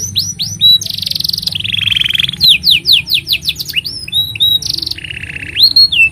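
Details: Canary singing a long, continuous master song meant for training young canaries and prompting mute birds; loud rolling trills alternate with sweeping whistled notes and fast repeated chips, with a faint low hum underneath.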